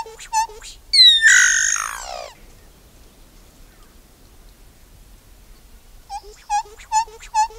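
Solitary Black Cacique song: a loud, rich, falling whistle framed by quick runs of short clicking, chattering notes. It ends after a pause with more rapid pulses.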